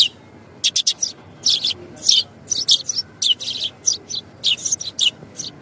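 Sparrow chirping in quick, irregular bursts of high, bright notes, several per second, with a faint low background hum.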